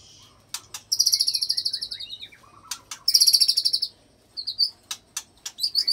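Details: White-rumped shama singing with cililin and long canary-roll fill phrases, meant to provoke other shamas into singing; two long, buzzy, high rapid trills, then short sharp chips and clipped notes.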